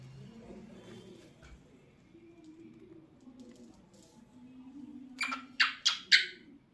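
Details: Talkative pet cockatiel singing and making different sounds: after about five seconds of low, steady room hum, four loud, harsh, rasping chirps come in quick succession near the end, roughly a third of a second apart.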